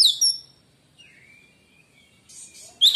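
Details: Song of a white-rumped shama, claimed to make other shamas fall silent: loud high notes open, then a long thin level whistle, ending in a sudden bright burst.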